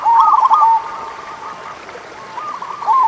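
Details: Local zebra dove song meant to prompt lazy doves into singing: a quick bubbling cooed phrase at the start, a soft lull, then another rolling phrase building at the end.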